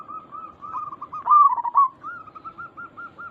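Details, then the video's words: Zebra dove call of local type, aimed at getting other zebra doves to reply: soft rapid coo notes build into one loud, rolling, tremulous phrase, followed by gentler spaced coos. "Perkutut lokal gacor Suara ini membuat Burung Perkutut langsung Nyaut cepat respon"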